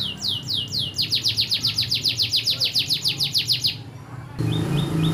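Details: Caged canary trained to sing bar-winged prinia song; a fast, even trill of high, sharply falling notes repeated about four times a second, ending abruptly, then a few short whistles over a constant low hum.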